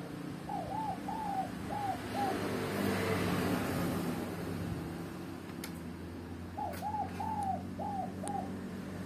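A spotted dove gives two phrases of soft, hollow coos, each a run of about five rounded notes. A steady low hum and a few faint clicks sit underneath.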